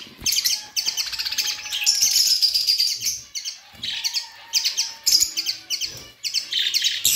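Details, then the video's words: Several budgerigars warble and chirp in long buzzy runs broken by brief pauses, with drawn-out thin whistles sliding underneath. "Budgies sounds and chirping"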